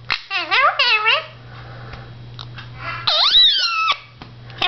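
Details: Talking blue Indian ringneck parakeet, a household pet speaking to its mirror image: quick choppy speech-like syllables, a quiet gap, then a loud stretched word swooping down and up before trailing off, plus a final click.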